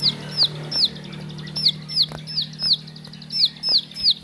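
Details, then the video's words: Bar-winged prinia (ciblek sawah) at home repeating a high, sharply descending whistle roughly three times a second, each note crisp and ringing, over a steady low electrical hum. "Ciblek Sawah Si Burung Murah Bikin Meriah Isi Rumah"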